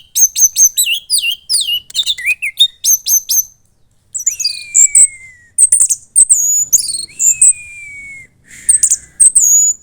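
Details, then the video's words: Caged young orange-headed thrush from Klaten, Central Java, singing with loud volume: fast runs of high chips and twittering notes, then sliding descending whistles among scratchy phrases. "Anis Merah Gacor Teler Doyong"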